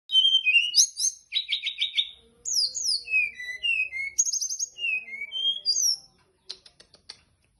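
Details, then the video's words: Wild teledekan gunung (Hill Prinia) singing actively, a rapid varied string of high whistled and buzzy notes, many sliding downward, delivered in quick bursts with short chips and a few low soft tones near the end. "Kicau teledekan gunung gacor teler"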